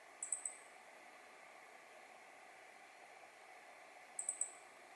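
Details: Meadow bunting recorded in mid-November 2020, giving two quick bursts of three thin, very high, sharp 'tsi' notes about four seconds apart, over a steady background hiss.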